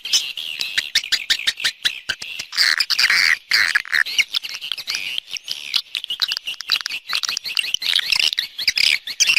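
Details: Swiftlet external sound from 2020: irregular high twittering and sharp chirps in uneven bursts, with louder clusters midway and a busy, chattering texture.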